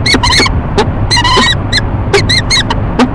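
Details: Courting pair of peregrine falcons at a nest box on a Rochester, New York building, morning of 19 March 2011, both birds ee-chupping: loud, harsh, two-part calls in quick bursts over steady broadband background noise.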